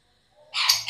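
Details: A female cockatiel, suffering egg binding and refusing to feed its chicks, gives a sudden harsh, raspy screech after a moment of near silence.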